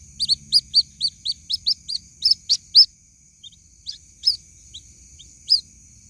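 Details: Young white-breasted waterhen calling for its mother, giving a fast run of about a dozen piercing high peeps, then a pause and a few scattered single peeps, with a constant faint high-pitched hum behind.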